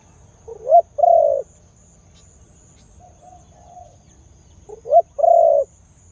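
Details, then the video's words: Khmer dove, noted for its big sound, repeats a phrase twice: short rising notes then a strong low coo, with a quieter soft coo between the two phrases; otherwise quiet. "The sound of Khmer Dove and big sound / លលកខ្មែរសម្លេងធំ"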